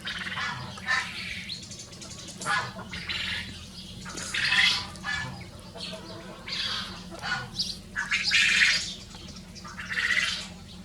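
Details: Pair of Rosecomb bantam show roosters free ranging, repeated short hoarse calls in irregular succession, about one every second or two, some louder and ragged, with steady low background hum.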